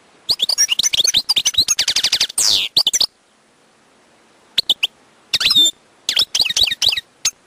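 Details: Wild European goldfinch song, a fast run of tinkling, twittering notes with a drawn-out, slurred buzzy phrase, a pause of about a second and a half, then more chattering, liquid trills.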